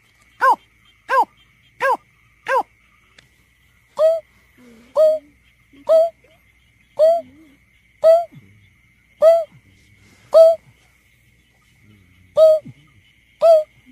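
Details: Greater painted-snipe lure recording used for bird surveys: a run of four rapid hollow notes, then a steadier series of short hoots about once per second, each with a bright upper overtone, over a faint steady high hum.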